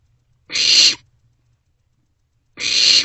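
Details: Barn owlets inside an owl box in the early morning darkness of 27 March 2024; two long, harsh hissing screeches separated by a two-second silence.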